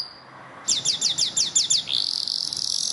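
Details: Yellow canary singing for song training: a quick series of about seven falling high whistled sweeps, then a sustained buzzy high note.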